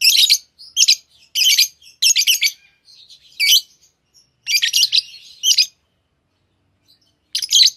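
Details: Chirping lovebirds giving loud, shrill, scratchy chirps in quick clusters, several bursts close together, then a pause and a final burst; no other sounds.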